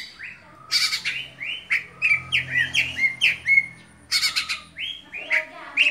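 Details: Oriental magpie-robin in a cage, a contest-hobby bird singing openly: a series of clear, slurred whistled notes, each swooping then levelling, repeated about every half second and broken by harsh, noisy bursts.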